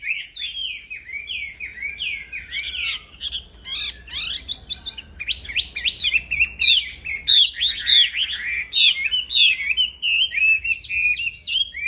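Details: Aviary black-throated laughingthrush in continuous song, meant for training other birds: a dense stream of rising and falling whistles and sharp chirps, growing louder and busier in the second half.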